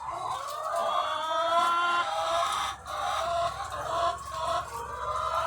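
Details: On a chicken farm, thousands of egg-laying hens produce a dense mass of nasal, sustained calls and clucks, briefly dipping in loudness midway before the chorus resumes.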